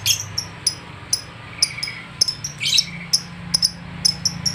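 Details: Lovebird agitated on meeting another lovebird utters short, sharp, high chips about every half second, with a few rising squeaky sweeps, over a low steady hum.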